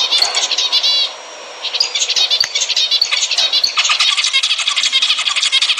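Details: Song of zebra finches meant to stimulate mating: rapid nasal, buzzy notes and harmonic trills from several birds. A short lull at about one second is followed by busy, overlapping chatter to the end.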